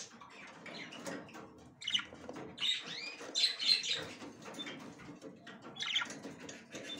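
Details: The female budgie checks the nest for the first time, chattering in quick, uneven high chirps and looping squeaks, with steady scratching and rustling noise behind.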